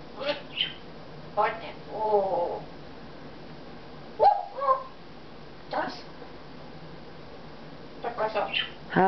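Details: Pet Congo African grey parrot, December 2008, flattering its owner by saying how pretty they are, then telling the owner to shut up; short voice-like phrases and squawky syllables come in scattered bursts, each separated by pauses.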